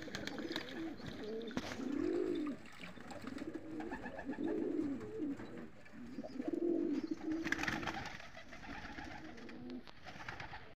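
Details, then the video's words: Purebred Iranian Tehran highflier pigeons in Iran, filmed flying in the sky, with low wavering coos that swell and fade in bursts every couple of seconds over a steady rushing background noise. "کبوتر پرشی تهرانی اصیل ایرانی پرواز در آسمان"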